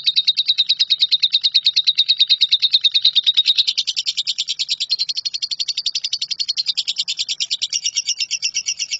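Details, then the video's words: Extended 'nyambung kuntilanak' song from a lovebird, used as shrike training material; a very long, fast, rattling trill of high notes that softens slightly midway and then carries on unbroken. "LOVEBIRD NYAMBUNG KUNTILANAK"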